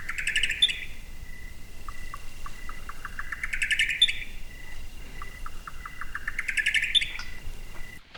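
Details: A rare Buff-collared Nightjar recorded at night in Southeast Arizona: a run of quick clipped notes that speeds up into a rising, ringing, ethereal flourish, repeated about every three seconds over a faint night hiss.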